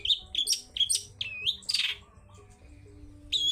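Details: Long-tailed shrike in ngalas style: quick high chips, a slurred looping whistle and a harsh burst, then a pause before another chip.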